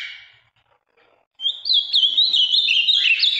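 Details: Ultramarine grosbeak from the Minas Gerais region, a large, deep blue male described as having a very firm song, delivers a loud, rapid warbled whistled phrase with quick up-and-down notes after a faint fading sound and a second of silence.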